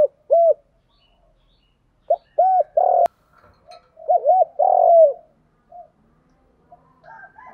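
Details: Female decoy spotted dove calling in "1 hậu" style to draw in wild males: short mellow coos in irregular bursts, some paired or tripled, one longer falling coo, with a sharp click and faint background chirps.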